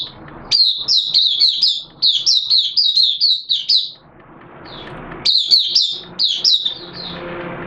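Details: Caged Oriental white-eye (Mata Puteh) kept as a hobby songbird, in open 'buka' singing on 11 September 2022 in wet, erratic weather: bright, high twittering phrases of rapid slurred notes, two bursts split by a pause, faint low background hum.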